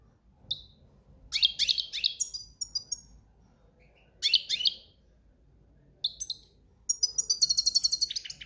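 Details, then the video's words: Breeding-season European goldfinch giving cante campero song: rapid tinkling twitters and slurred high notes in phrases of about one second. It ends in a fast, bright trill of repeated notes. "Jilguero cantando ** cante campero**"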